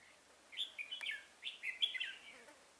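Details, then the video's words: Red-whiskered bulbul decoy singing at a trap on 24 September 2018: quick chattering, warbling phrases in two groups, notes jumping up and down in pitch, against a quiet, hissy background. "Bẫy chào mào"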